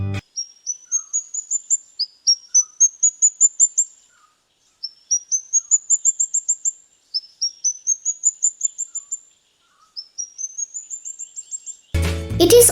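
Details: Legge's (white-throated) flowerpecker, endemic to Sri Lanka and usually in pairs in wet-forest treetops, gives five thin, very high rising series of quick ticking notes, about one every two seconds, followed by a brief burst of music and noise.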